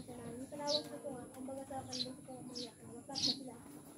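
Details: A newly kept Eurasian tree sparrow taken from the mountains gives four short, bright, high chirps spaced unevenly over a few seconds, with a woman talking quietly underneath.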